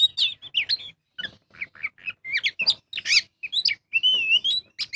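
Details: Oriental magpie-robin singing nonstop in the ngobra style as a lure recording: quick, varied whistled notes in short bursts, squeaky upslurs and a sustained wavering whistle near the end, in a quiet setting.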